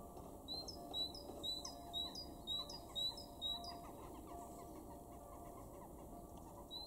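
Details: Garden great tit recorded in March 2023 at Weener, East Frisia, northwest Germany, giving a run of about six clear two-part whistles, a sustained note then a brief higher one, at a steady pace, then falling quiet with one final phrase against steady low rumble.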